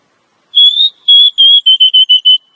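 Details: Calls of a female Oriental magpie-robin, meant to get a male singing and raise his breeding drive: a long level whistle, then a run of about eight shorter, evenly spaced whistled notes.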